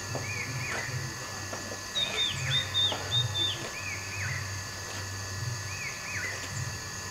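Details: Green-backed tit calling near a hotel in Pelling, West Sikkim: clear high whistled notes, some in a rapid flat series and others as short down-slurred phrases, repeated several times over a steady low hum and background noise.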